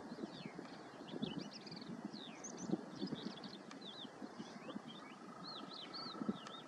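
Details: Yellow wagtails of subspecies Motacilla flava superciliaris give many thin, slurred, high notes that overlap quickly, over a steady low rumble like distant traffic or wind.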